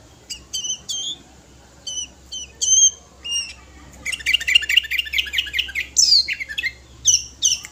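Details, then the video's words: Five-year-old sooty-headed bulbul in full song, used to call other birds: loud, clear whistled notes in short phrases, then a fast rattling chatter of repeated notes, ending with bright rising whistles. "Kutilang gacor full materi"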